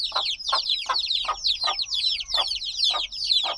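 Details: Black chicks only days out of the egg cheep loudly together, bright descending peeps crowding one another, while a soft thump recurs about every half second underneath.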